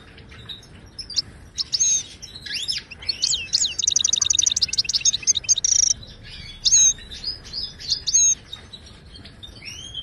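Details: Ouidani-style song of a wild Moroccan European goldfinch, used to teach caged birds to sing: scattered twitters leading into a rapid even trill, a bright sustained note, then well-spaced sharp whistled calls.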